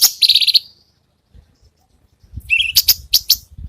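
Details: Cucak cungkok song as master material for training songbirds. A short buzzy, grating phrase is followed by a pause, then scattered high harsh chips over a faint low background rumble.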